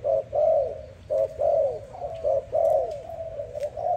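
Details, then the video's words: A dove cooing in the morning: low, soft, hollow notes, a short hoot then a longer drawn-out one, repeating about once a second over a faint hum. "Dove lovely sound -morning sound of dove"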